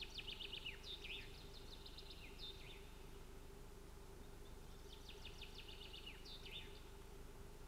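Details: At a Finnish nest on 25 June 2018, Ospreys scuffle. Two bursts of quick, high, chattering chirps, each a rapid string of sharp notes, sound against a constant low droning background.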